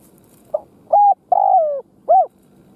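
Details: Caged decoy spotted dove cooing to lure wild doves: a soft low note, then a sequence of mellow, hollow coos, the longest one gliding slightly downward, each separated by short gaps.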